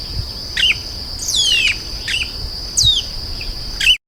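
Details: Sparse chestnut-capped blackbird phrases: short downward-sweeping whistles and brief chirps spaced about a second apart, over a constant high ringing tone.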